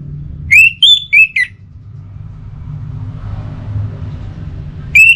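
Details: Pacing song from a kept orange-headed thrush: four clear, loud whistled notes in quick succession, some rising and some falling, then silence before one more whistle at the end; low background hum throughout.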